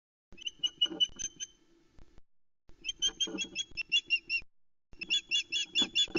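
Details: Female osprey alarm calling at a nest cam in the Arkaig Community Forest, Loch Arkaig, on 12 July 2020, reacting to an intruder: three bursts of rapid, shrill whistled notes, each burst of about eight to ten sharp piping calls with short gaps between.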